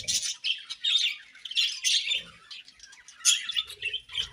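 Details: Chirping budgerigars in breeding season: bursts of high, scratchy warbling and squeaky notes separated by short pauses, with faint low knocks.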